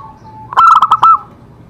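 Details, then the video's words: Zebra dove song played as a therapy recording to stimulate other doves to sing: one loud burst of rapid, staccato gurgling coos lasting about half a second, over a faint steady background tone. "Cocok untuk terapi semua jenis perkutut pasti nyamber"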